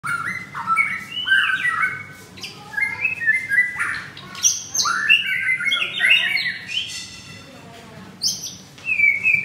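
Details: Caged white-rumped shama, a bird for sale at a Jakarta bird kiosk, recorded on Monday 25 April at 11 in the morning, pouring out a rich varied song of whistled notes, rising and falling slurs and buzzy phrases with brief pauses.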